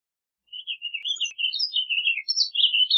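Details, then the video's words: Warbling vireo delivering a lively, burbling song of short linked notes that jump up and down in pitch, running on for two and a half seconds without a break. "Warbling Vireo Song! Warbling Vireo Call!Warbling Vireo Sound - Vireo Gorjeador Canto- Vireo Gilvus"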